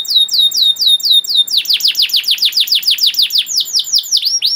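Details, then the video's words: Young canaries' master song from an adult canary: repeated falling whistled phrases shifting into a fast run of steep downslurred notes, then slower upturned whistles. "KENARI GACOR PANJANG CENGKOK ISTIMEWA COCOK BUAT MASTERAN KENARI PAUD || VOICE OF CANARY"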